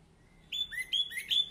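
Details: An Orange-headed thrush, recorded as lure audio for a bird that has stopped singing, delivers a short run of clear whistled notes. Some phrases rise and others fall, in quick succession after a brief silence.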